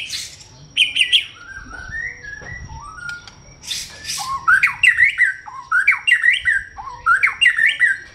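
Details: White-rumped shama singing loudly: after a few harsh notes and slurred whistles, a run of repeated rising-then-falling whistled phrases, each about half a second long, delivered in quick succession.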